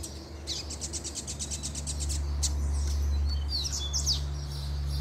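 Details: Coleiro (Double-collared Seedeater) from a caged pair, male performing 'puxada' song when the female shows up: a fast, even string of high sharp notes for about two seconds, then buzzy twittering phrases, with a loud low hum underneath.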